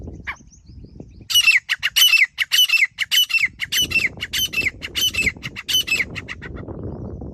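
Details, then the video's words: Grey francolin, known locally as desi teetar, used to lure birds while hunting: a fast series of about ten harsh, ringing squawks in rhythmic pairs, nearly two a second, over low rustling and rumbling background noise. "Desi Teetar Calling | Grey Francolin Hunting Voice"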